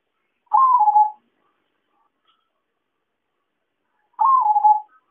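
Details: Trapping lure of the zebra dove (perkutut): two quick, trilled coos that dip in pitch, separated by about three and a half seconds of near silence.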